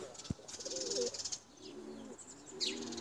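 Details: Tumbler pigeons being flown give soft, low coos in three short rolling phrases, with a hiss of rustling or wind above and a single knock near the start.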